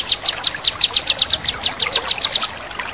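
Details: Male cucak kinoi delivering sharp 'crecetan' chatter: a fast, even run of about sixteen high, clipped notes, several each second, with soft water trickling underneath.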